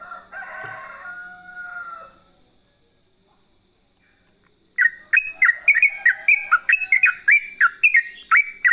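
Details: Trucukan, the yellow-vented bulbul, singing in the chatty 'gacor' manner: after a rooster-like crow and a pause, a dense burst of bright, liquid whistled notes starts, rapid and jerky, pouring out for four seconds.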